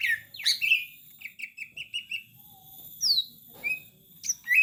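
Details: Greater green leafbird singing a master song for training birds: a short phrase of four or five quick, even chirps, then scattered sliding whistles and a brief harsh note, with quiet gaps between.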